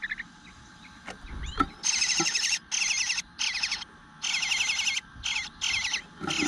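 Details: Eastern bluebird nestling whining for food in the nest at 9:10 am on 25 June 2022; a few soft notes, then long raspy, buzzy, high bursts of up to a second, broken by short pauses, growing insistent.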